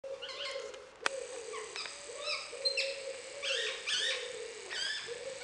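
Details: A wild rose-ringed parakeet, recorded 19 July 2016 and described as talking, chatters in varied, rasping and squeaky phrases with harmonic notes, over a steady low hum.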